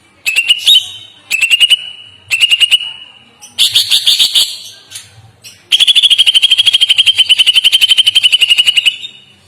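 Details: Greater green leafbird song: bursts of rapid clicking notes ending in sustained shrill whistles, then a long fast rattling trill of repeated sharp notes lasting about three seconds.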